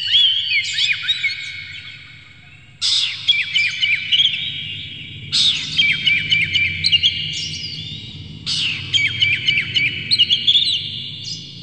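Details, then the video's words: Oriental magpie-robin song used as a lure to agitate a bird into singing: four abrupt bursts of dense chattering whistles and quick chirps, each lasting about two seconds and separated by quieter gaps, over a low rumbling background. "PANCINGAN KACER Buka Ekor KONSLET bongkar MATERI KASAR JERNIH agar KACER emosi"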